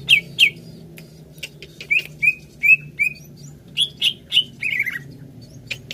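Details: Greater green leafbird song for prompting a kept bird to sing: paired downslurred notes, a few short level whistles, then a quick sliding falling phrase, with brief pauses between.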